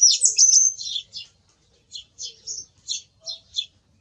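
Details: Song thrush song opening with a loud sweeping whistle, followed by a string of short, high, clipped notes repeated at steady intervals of roughly a third of a second.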